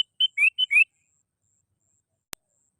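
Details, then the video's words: Sooty-headed bulbul call used for luring: four quick notes, two flat whistles and two rising slurs, delivered in well under a second, then quiet broken by one sharp click. "SUARA PANGGILAN BURUNG KUTILANG GACOR"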